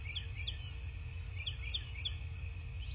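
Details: Bald eagle at its nest in southwest Florida, picked up by a nest camera on the morning of 17 March 2024: short, high, squeaky chitter notes repeated several times over a steady low hum.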